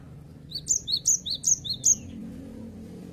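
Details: Cinereous tit singing eagerly, five to six loud high-pitched 'wu-cit' whistles repeated at an even brisk pace, ending on a trailing falling note, over a steady low background hum.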